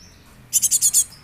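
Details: Young Java sparrow kept as a lure bird, giving a quick burst of five high, sharp chip notes in under half a second over a quiet background.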